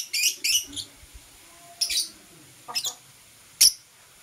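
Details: Green and blue Personata lovebird in the morning giving scattered short, high, scratchy chirps, a pair at the start and then single ones spaced about a second apart, with quiet gaps between.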